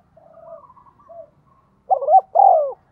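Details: Spotted dove kept as a decoy, in the 'giọng thổ' voice style. Soft, distant-sounding coos open the clip. A loud phrase follows near the end: a quick two-part note, then a drawn-out descending coo.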